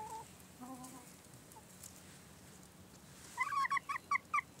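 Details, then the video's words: Hens at 17:00 on a warm March day of 15 degrees; a few soft drawn-out notes open, then a quick series of six loud, sharp clucks near the end. "Hühner Tratsch"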